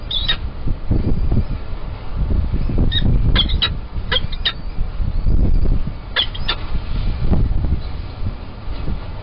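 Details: Lunchtime feed for three peregrine falcon chicks at Kingston College, 21-04-21, with food taken from a cached carcass. Scattered short, piercing squeaks arrive irregularly, roughly every couple of seconds, over heavy low rumble.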